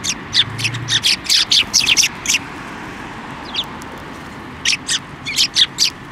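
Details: At a Tenmangu shrine on 15 December 2023, sparrows come to a hand for food, uttering rapid runs of bright, high chirps, about two per second in a dense first half, a short pause, then another cluster.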